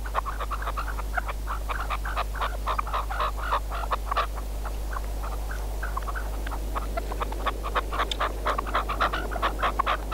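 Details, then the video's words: Caged red-legged partridge used as a hunting decoy: dense runs of short, harsh chuffing notes, many rapidly overlapping, with a steady low hum underneath. "Perdiz con reclamo"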